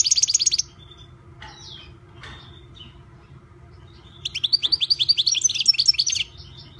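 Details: European goldfinch, a privately kept bird, gives a brief burst of rapid high twitter, then scattered soft chips and a lull, followed by a long ringing run of fast repeated buzzy-tinkling notes; low hum throughout.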